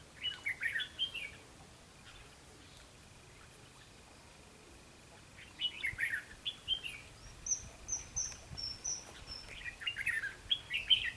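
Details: Red-whiskered bulbul at a trapping session, 12 July 2016, giving clipped, fluty warbling phrases at intervals of several seconds, with a thin, higher series of chirps from another bird in the middle of the recording.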